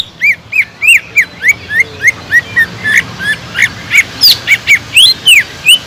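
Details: Cucak ijo (green leafbird) singing loudly to provoke other birds: a steady series of bright, upslurred and arched whistles about three per second, later mixed with higher squeaky phrases.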